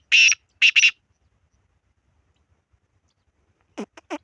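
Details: Black francolin (kala teetar) calling: one harsh, grating note, a short pause, then two more rasping notes in quick succession, followed by a few faint, rougher notes near the end in an otherwise quiet setting.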